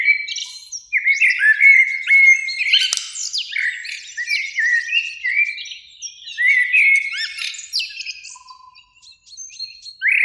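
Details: Two Eurasian blackbirds sing in a springtime beech tree beside a lake at evening; overlapping flute-like warbled phrases with squeaky high endings follow one another closely, with a faint low whistle near the end.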